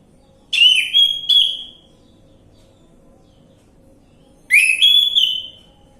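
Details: Orange-headed thrush lure song for prompting a bird to sing: two whistled phrases in quick succession, a pause of nearly three seconds, then a third similar whistled phrase, over a faint steady hum.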